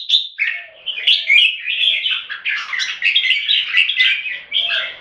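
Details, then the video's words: Red-whiskered bulbuls kept in Singapore singing against each other: continuous lively warbling made of quick slurred whistles and chirps, phrases running together with barely a break. "สิงคโปร์เลี้ยง นกหัวจุก JAMBUL - CLASH OF THE TITANS"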